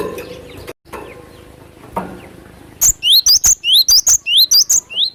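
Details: Cinereous tit, wild voice used for luring birds: quiet background with a brief dropout, then a lively run of high, rising, two-toned whistled notes repeated rapidly for over two seconds.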